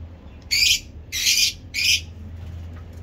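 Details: Lovebird in heat giving ngekek panjang, a long chattering song: three harsh, buzzy screeching bursts about half a second apart, each loud and broad, followed by quiet background hum.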